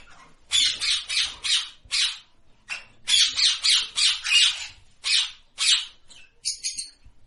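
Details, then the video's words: Parrot giving a long series of loud, grating screeches, rapid runs of harsh squawks about three per second, broken by short pauses, with little else heard. "Natural Parrot Voice ।। Parrot Sound Effect ।। টিয়া পাখির ডাক"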